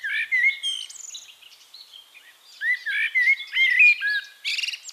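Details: In Castricum, the Netherlands, a Eurasian blackbird sings rich, warbled whistles in two bursts, fluty and slurred, each finishing with thin, high twittering notes; otherwise quiet background.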